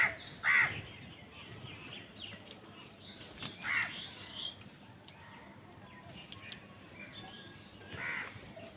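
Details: Crows calling in a village: three harsh, raspy caws stand out, one near the start, another around four seconds and a last one near the end, separated by quiet stretches with faint background chirps.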